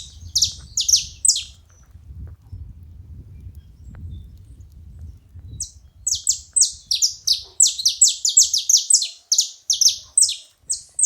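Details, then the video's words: Feeding-spot saffron finch: a short burst of high chirps, several seconds of low rumbling, then a long quickening series of sharp, descending chirps. "Canário da terra fazendo barulho na seva"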